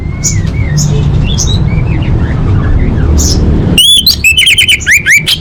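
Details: Orange-headed thrush delivering full-fill training song for competition birds: faint scattered whistles under a low rumble, then a loud rapid volley of sharp, rising and falling whistled notes near the end.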